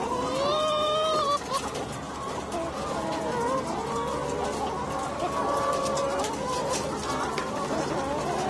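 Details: Caged laying hens in one of four French battery farms, February 2012: many overlapping drawn-out and rising clucks and squawks over a constant hum of machinery, forming a dense continuous din.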